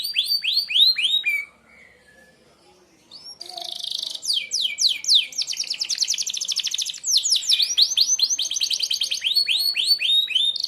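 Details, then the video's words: Sharp 'tembakan' song from a Merlok canary, used to train other birds. Loud arched whistles, a quiet pause of about two seconds, then long dense stretches of rapid descending notes and trills. "tembakan tajam kenari merlok, sangat ampuh buat pemasteran burung anda"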